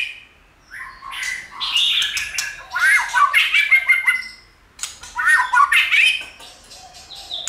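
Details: White-rumped shama song meant to provoke other shamas to sing: two long, dense bursts of scratchy chatter mixed with whistled fragments, separated by a short quiet gap.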